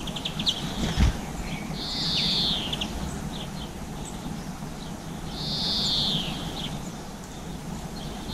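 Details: Garden birds taking seeds, with black-capped chickadee, blue tit and greenfinch named, GoPro footage near 7 pm, April 2020; two long nasal wheezes sliding downward, separated by about four seconds, plus soft ticks.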